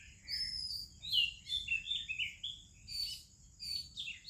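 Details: Indian Oriental magpie-robin in morning chorus with other birds: continuous melodious whistles and chirps, bright notes dipping and rising in quick succession, over a steady high hum.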